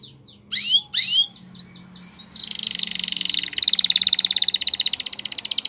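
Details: Belgian canary song for training: several loud, separated, rising and falling whistled phrases, then a sustained fast buzzy roll of high notes pulsing steadily to the end.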